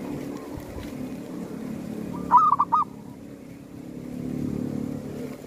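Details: Local zebra dove calling during a bird hunt at a cemetery, where wild doves are lured: one short phrase of four soft, rounded cooing notes in about half a second, the first longest, over a steady low rumble of background noise.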